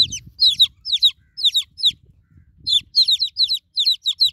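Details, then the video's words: Baby chickens just hatched call for their broody hen in loud clusters of shrill descending peeps, pausing briefly before a steady, rapid run resumes. "New Born Chicken Chicks Calling For Broody Mama Hen"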